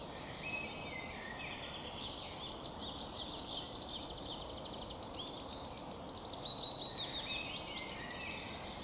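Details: Wood warbler on 22 May 2023, a species that sings while flying: other birds' varied twittering first, then from midway its high accelerating ticks build into a long, shimmering, silvery trill.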